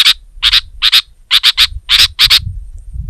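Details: A sooty-headed bulbul, singing to pressure a rival, gives harsh paired chip notes. About seven doubled chirps are repeated roughly every half second, with soft low background noise.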